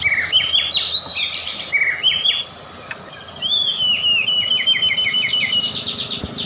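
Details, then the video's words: Provoking lure song of a white-rumped shama: varied chattering high phrases, a short pause, then a quick series of bright repeated notes forming a trill. "OTOMATIS IKUT NaRUNG DAN EMOSI,DENGERIN KICAUAN INI,PANCINGAN MURAI BATU,SUPER GACOR"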